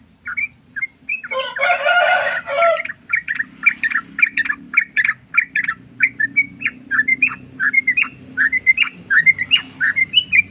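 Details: Yellow-vented bulbul singing its long 'ropel' rapid song used as a lure. After a brief harsh burst comes a steady stream of loud, liquid chirped notes that rise and fall, repeated several times a second for eight seconds.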